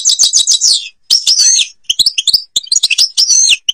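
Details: Algerian European goldfinch song, ghabat al-Babas tiberli style: bright chattering twitters mixed with liquid swooping slurs and sharp chips, in quick phrases separated by brief pauses.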